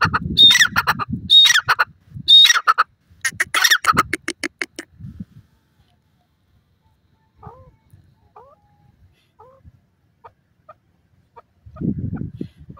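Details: Grey francolin, locally called Dakhni teetar, giving loud, harsh, squawking calls in rapid repeated bursts for about five seconds. Then quieter faint chirps follow, and a low rumbling noise comes at the end.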